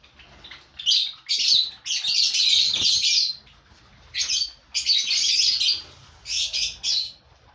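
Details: Lovebirds in a breeding colony of five pairs, indoors, giving loud, shrill, high chirps and squawks in dense bursts of about a second, broken by short pauses.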